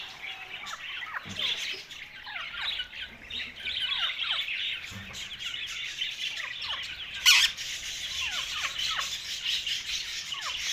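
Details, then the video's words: Rose-ringed parakeet talking while eating: dense, continuous chatter of short high chirps and quick downward-sweeping notes throughout, with one louder harsh burst midway. "Ringneck Parrot Talking Eating"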